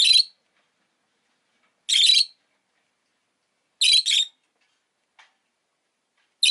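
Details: Rosy-faced lovebird calls: four sharp, rasping screeches spaced about two seconds apart, one given as a quick double, plus a faint tick in the gap.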